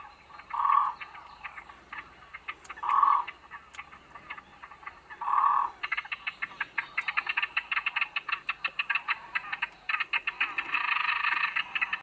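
Great crested grebe giving three loud, harsh barking notes about two seconds apart, then a fast, dry, rattling chatter that swells near the end.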